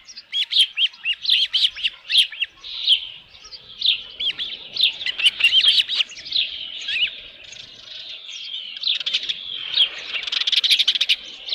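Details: Osprey calling at a ranch nest on 27 June 2018 shortly before 1 PM, a headless fish present: loud bursts of piercing whistled cheeps, several per second, easing off midway and then building again into dense chirping.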